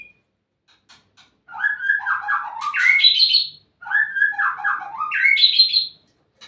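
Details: White-rumped shama from a polygamous breeding program singing two long phrases, each starting with low fluty whistles and building into higher, brighter trilled notes, separated by a short silence.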